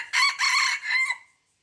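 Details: Red junglefowl in Aceh, recorded 5 January 2020, giving a loud, harsh crow in three strained syllables. The last syllable trails off into a thin fading tail. Otherwise quiet.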